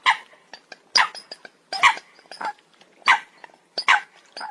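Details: Coot giving loud, harsh, nasal calls in clusters, roughly one burst per second, each with stacked tones and a rasping edge, and softer short clicks between the bursts.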